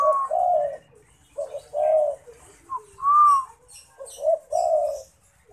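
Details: Zebra dove in full song: repeated mellow low coos alternating with a higher arched whistled tone, phrases spaced about a second apart, clear against a quiet background.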